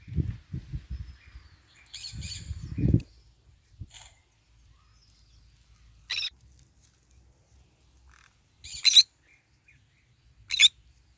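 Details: Green-cheeked conure in the morning sun while eating: low crunching and rustling at first with faint chatter, then three separate sharp, raspy squawks over the last five seconds.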